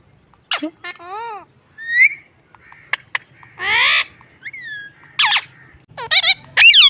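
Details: A pet parrot making weird, funny noises: a descending squeal, wavering harmonic calls, whistles, a loud harsh screech and quick rising shrieks at the end.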